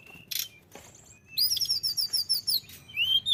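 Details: Tledekan gunung in full active song, a burst of high, thin whistled notes, then a rapid run of bright chirps rising and falling, ending with a clear upswept whistle.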